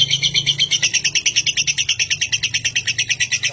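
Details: Lovebird giving a long ngekek chatter, used for training other birds: rapid harsh chattering notes repeated about three per second, steady and high-pitched throughout.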